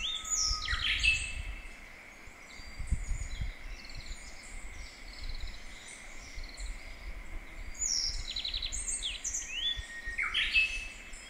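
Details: Japanese bush warbler singing in a mountain valley with a slight echo, its song grown skilful through practice: a long low held whistle sliding up into a quick higher phrase, heard near the start and again near the end, over dense twittering of other birds and low rumble.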